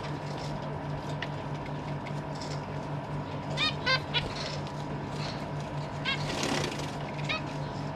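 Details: Captive zebra finches, adults feeding recently hatched and fledged young, 12 December 2023: a handful of nasal calls in short pairs, spread over several seconds, with a low constant hum beneath.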